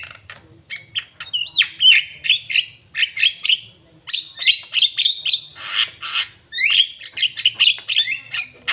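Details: Energetic song of an Asian pied starling: a long, varied sequence of squawks, looping whistles and harsh chattering notes, delivered in quick bursts about twice a second throughout.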